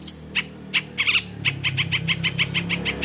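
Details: Long-tailed shrike (cendet), able to copy various other birds, opens with a few sharp chips and then repeats a short, dry, scratchy note about three times a second.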